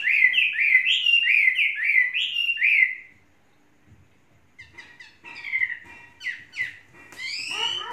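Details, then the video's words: Chinese hwamei, tame and three seasons old, sings a rapid series of bright rolling whistles for about three seconds, falls silent, then resumes with softer scattered notes and a final loud swooping phrase. "Hoa mi hót cực hay"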